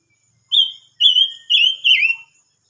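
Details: Silver-eared mesia singing a short phrase of four loud, clear whistled notes at a steady high pitch, each about a third of a second long, the final note sliding downward; quiet background.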